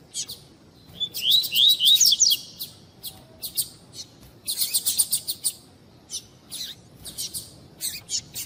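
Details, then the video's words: Double-collared seedeater of the tui tui style, female calling to rouse a cold male into song; quick slurred whistles rising and falling, then dense bursts of thin high chirps and spaced single tweets. "Esquentar Coleiro Tuí Tuí Com fêmea Chamando"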